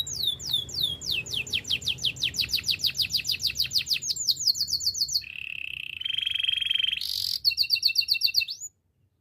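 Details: Belgian canary singing a training song: about five seconds of quick descending swept whistles, four or so each second, then a low flat rolling trill, a brief very high rattle and a closing buzzy tour.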